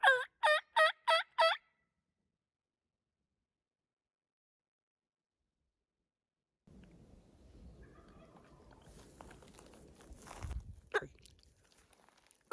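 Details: Evening gobble from a Merriam's wild turkey tom located at sunset, north rim of the Grand Canyon: a quick burst of five rattling notes in under two seconds, followed by long quiet, then rustling and handling noise.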